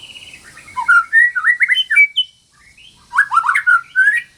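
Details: White-rumped shama female in breeding condition calling to a male, song for getting stalled shamas to sing again: an opening quiet buzzy trill, then rich gliding whistles climbing in pitch, a short gap, and a second burst of quick slurred notes.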